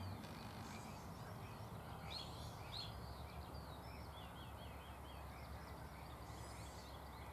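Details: Barn swallows chirping in a shed on Getterön on 17 May 2018: rapid, high twittering chirps and short upswept notes in loose series over a steady low rumble that dominates the background.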